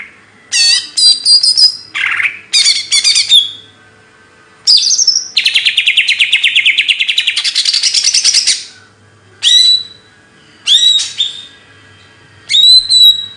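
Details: Kicau burung materi bird song: sharp rising whistles and chirps, a long fast rattling trill of about three seconds in the middle, then short whistled notes repeated every second or two.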